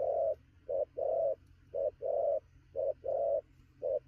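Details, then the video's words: Newly caught wild spotted dove cooing fast at noon: short low coo followed by a longer drawn-out coo, the pair repeated about once a second, steady and mid-low pitched over a quiet low hum. "Sấm thổ gù tốc độ, 12h trưa mà bổi quá sung"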